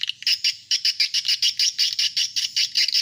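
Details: Swiftlet sound for attracting adult swiftlets: a brisk train of high, buzzy twittering chirps, roughly four per second, evenly loud and rhythmic, with a faint low hum underneath.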